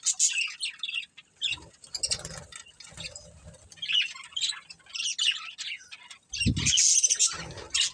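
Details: Budgerigar breeding pair chirping in scratchy, twittering phrases broken by short silences, ending with a loud burst of shrill chatter and a low thump.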